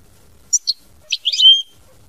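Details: European goldfinch, mama binette song style: a couple of crisp high chirps followed by a tumbling cluster ending in a drawn-out, slightly nasal whistled note.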